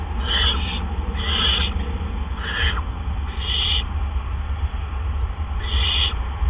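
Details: Evening at a barn owl nest, April 17, 2013, around 8 PM, during a double gopher delivery by the two adults. Five breathy, harsh screeches come in a quick series, then a pause before another, over a low droning background.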